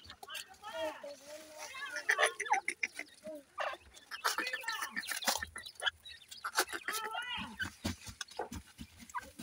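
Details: Francolin (teetar) chicks at feeding time: overlapping soft clucks and short rising-falling chirps from several birds, with sharp clicks and bursts of noise in between.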